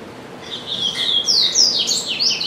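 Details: Double-collared seedeater in a cage at home, singing all day; a continuous, loud stream of high whistled slurs and quick descending sweeps, rapid and intense throughout.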